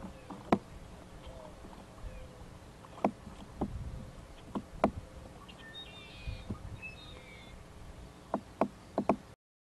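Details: A woodpecker loudly hammers on a nest tree near the microphone by a pond on 7 April 2012, sharp irregular knocks, single blows and quick pairs a second or two apart, over a low rumble with faint distant chirps.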